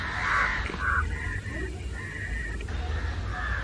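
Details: House crows in a noisy mixed flock with jungle crows, mobbing someone; a couple of loud close caws open, followed by fainter overlapping caws.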